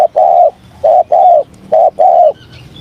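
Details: Spotted dove cooing in the morning as voice training, with clear low hollow notes grouped as a brief coo followed by a longer drawn coo, repeated twice, with faint high twitters at the end.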